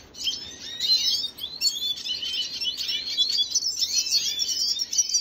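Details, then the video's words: Venezuelan red siskin, 25 June 2022, pouring out high, buzzy twittering song with downslurred chirps and rapid trills after a quiet opening moment. "خوێندنی سیسکنی سوری فەنزوێلی"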